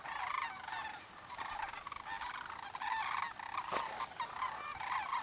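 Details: Sandhill cranes by the thousands, stopping on Pacific flyway migration to feed and dance in farm fields at Sauvie Island Refuge, Oregon, or Columbia National Wildlife Refuge, Washington; a dense, continuous chorus of rolling, trumpeting rattles from many birds overlapping.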